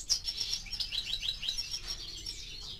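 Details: Quieter song from a four-month-old canary: high sharp notes followed by a string of quick rising whistled slurs, then fading warbles.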